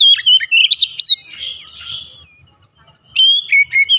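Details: Oriental magpie-robin in morning song, pouring out varied whistles, sharp upslurs and some buzzier blurred notes, then a pause before a fresh run of clear, choppy whistled notes.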